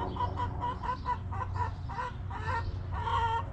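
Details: Backyard hens clucking in a coop sanctuary, short, bright clucks repeated about every quarter second, ending in a louder, drawn-out nasal note over a low hum.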